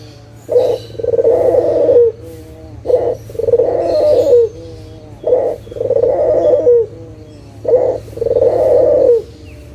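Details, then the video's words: Local Barbary dove in energetic voice, a lure recording to coax silent doves into calling again: four coos, each a short low note followed by a longer rolling, purring coo, repeated about every two and a half seconds over a faint low hum. "SUARA PIKAT PUTER LOKAL GACOR_SUARA PANCINGAN BURUNG PUTER MALAS BUNYI AGAR BUNYI LAGI"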